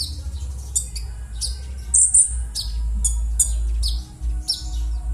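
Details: Rough call of a konin bird, meant as a lure to prompt birds that have stopped singing: irregular harsh high chirps with quick falling tails, roughly two per second, one longer grating burst midway, over constant low rumbling background hum.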